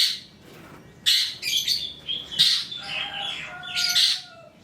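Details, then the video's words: Trotol long-tailed shrike lure song: harsh, noisy bursts of rasping chatter alternating with a few thin drawn-out whistled notes, separated by short pauses. "PANCINGAN CENDET TROTOL AGAR BUNYI, MASTERAN CENDET GACOR FULL ISIAN"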